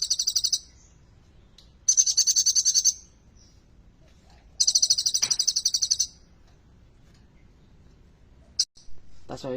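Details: Energetic song of an olive-backed sunbird (kolibri ninja), rich in borrowed bar-winged prinia (ciblek) phrases: three very high, rapid pulsed trills of about one second each, separated by pauses, then a sharp click and a brief low rustle.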